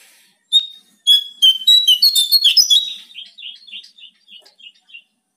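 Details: Loud Bar-winged prinia song used to lure caged birds into singing: a clear whistled note, then a rapid jumble of sharp high chirps, tailing off into a series of quieter repeated notes.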